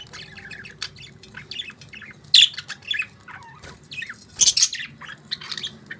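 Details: Pet budgies warbling and chirping in a soft, continuous chatter, punctuated by two loud, harsh squawks, over a faint low background hum.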